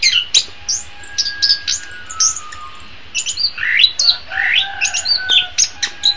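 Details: Orange-headed thrush singing, used as training song for songbirds in the morning or afternoon; scattered sharp chirps and short whistled phrases, then a fuller run of rising, slurred notes in the second half.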